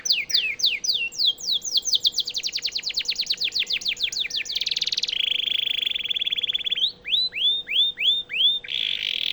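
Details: Canary performing song used to train White-rumped shamas: descending whistled sweeps accelerating into a long rapid trill, then a buzzy sustained rattle and a series of upward-curving whistled notes.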